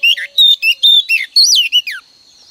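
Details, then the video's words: Loud, close female oriental magpie-robin song, used every morning to coax males into song: a clean sequence of rich whistled notes, some rising and falling slurs, spaced by short gaps, ending in a fading high tone. "Kích choè than trống cực căng mỗi sáng | Choè than mái mồi quá hay"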